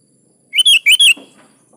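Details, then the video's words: Sooty-headed bulbul in full song, used to coax caged birds into singing back: a single fast phrase of liquid, warbled notes, followed by a faint low rustle. "SUARA BURUNG KUTILANG GACOR"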